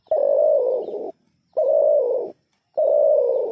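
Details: An unidentified bird repeats a loud, hoarse, low cooing note about once a second. Each note holds steady for most of a second and dips slightly at the end.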